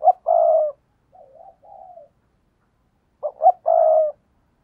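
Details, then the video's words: Spotted dove luring wild doves with its coo: a short note and a long hoot, soft wavering low notes, then a full phrase of two clipped notes and a sustained mellow hoot. "tiếng cu gáy thúc bổi"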